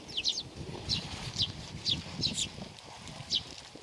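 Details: Sparrows coming for food at a Tenmangu shrine, Nakanoshima, 7 June 2020; thin, downward-sliding chirps about every half second over a steady low rumble of background noise.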